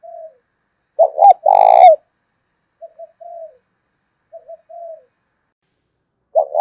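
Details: Lure spotted dove in the 'thổ' voice style, cooing so that nearby doves respond. A low soft coo comes first, then a loud, rough, rolling phrase, then paired gentle coos, and another loud phrase begins at the end.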